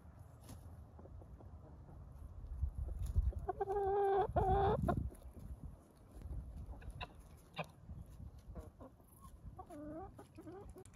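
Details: Evening chicken flock, hens and roosters, being said goodnight to: soft scattered clucks, a louder drawn-out tonal call in the middle, and more clucks near the end over a low rumbling background.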